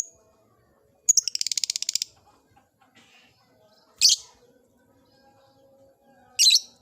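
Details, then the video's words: Caged lovebird in an old cage starting its ngekek song: a fast rattling trill of about a dozen clipped notes, followed by two separate shrill, scratchy chirp bursts after pauses. "Suara burung Lovebird "Kicauan Di Sangakar Tua""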